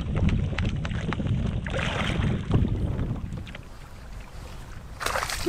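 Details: Gusty wind buffeting the microphone over lapping water and paddle-like knocks, with no animal calls.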